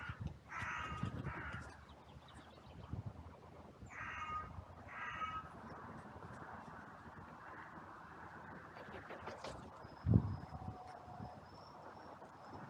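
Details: Outcry of crows at a cemetery on a sunny day, trail camera recording, as birds rushed in after two crows fought: two pairs of loud grating caws separated by a pause, thin high bird notes, and a sharp knock near the end.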